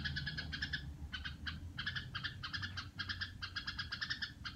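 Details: Red-whiskered bulbul kept at home, making the harsh sound its keeper calls "rò": nasal, buzzy notes repeated in quick bursts with brief gaps, over a steady low hum.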